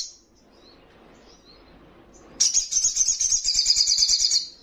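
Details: Young Brown-throated Sunbird bursting into song after a quiet spell: a long, high, buzzy pulsed trill of rapid notes lasting about two seconds.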